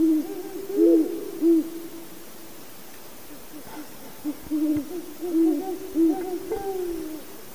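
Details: Great horned owl hooting low and muffled: three hoots, a silent gap, then a longer run of about five hoots in an uneven rhythm, with faint clicks in the background.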